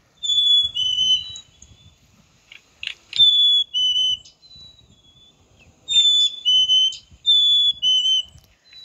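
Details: Black-capped chickadee giving clear two-note whistles, a higher note sliding to a slightly lower one, repeated in several pairs over nine seconds with short pauses; faint low rustling underneath.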